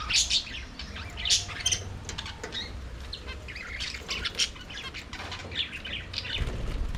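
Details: Budgerigars in an aviary, singing and playing: a busy flock chatter of short scratchy chirps and squawks, with wing flutters and low rumbling background noise.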